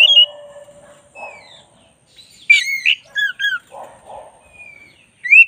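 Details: Black-breasted oriental magpie-robin tutor song. Scattered whistles are mixed with soft, rough low notes, then a loud cluster of bright slurred whistles, and a rising whistle at the close.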